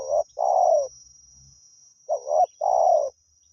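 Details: Two hoarse coo phrases from a wild spotted dove being lured: a quick note then a longer burry coo, separated by a short gap with faint low rumbling. A high steady tone persists.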